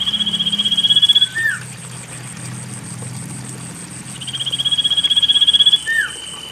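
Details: Lure song of a common iora for birds reluctant to sing; two long pulsed trills about four seconds apart, each finished with a short down-curving note, low rumble and steady high hiss in the background.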